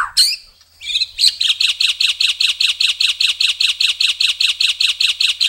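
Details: Murai (white-rumped shama) in long-burst style: a couple of sharp introductory notes, then a long, evenly paced rattling series of identical buzzy notes, about two and a half per second, continuing to the end.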